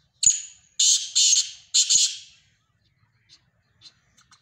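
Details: Black francolin uttering one loud phrase of four grating, rasping notes in quick rhythm, followed by near silence with a few faint distant chirps.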